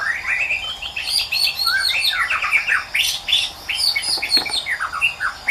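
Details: White-rumped shama singing in the wild, a melodious song: a dense, continuous stream of varied whistled notes, slurs and trills, rising and falling quickly with almost no pauses.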